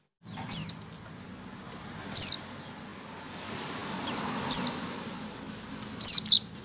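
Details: Opening 'ngecal' call of a white-eye ahead of its song: five sharp, high notes sliding downward, some single and some doubled, spaced one to two seconds apart, with soft background hum.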